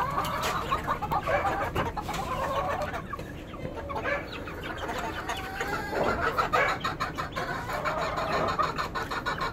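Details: Chickens, with roosters, hens and chicks named, clucking: dense, repeated harsh clucks and squawks from several birds overlapping throughout, over a noisy background.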